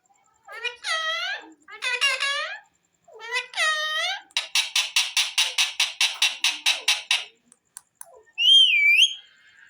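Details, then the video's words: Talking parrot, a pet pahari tota, giving harmonic speech-like phrases, then a fast train of about fifteen harsh pulsed notes and a final rising-falling whistle. "bolnay wala tota,pahari toat bird,sweet parrot bird"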